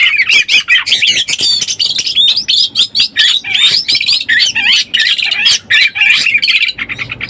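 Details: Oriental magpie-robin lure call for birds in breeding condition: a rapid string of short scratchy bursts and twisting whistled notes, packed closely, with a brief pause just before the end.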